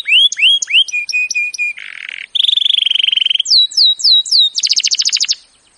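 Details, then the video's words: Canary singing a training song in shifting tours: slurred rising notes, a flat buzzy roll, a steady rattling trill, a row of falling sweeps, then a very fast high rattle. "Birds song Canary ❗suara Burung Kenari !!"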